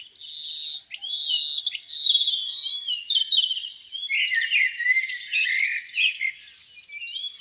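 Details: Birdsong beside a lake on a spring morning: a dense chorus of high, sweeping whistles and chattering notes rising and falling, with several singers overlapping and no other sounds.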